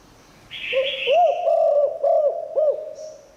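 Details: Low, resonant coo from a spotted dove in the Thai 'liu tan' style, said to pull in wild birds: a hiss, then five rounded, rising-and-falling notes over two seconds.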